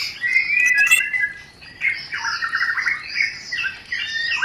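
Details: White-rumped shama giving its rencetan chatter, played as a lure to arouse breeding desire: bright whistled notes near two kilometres' pitch give way to rapid trilled and buzzy phrases, with short bursts in between.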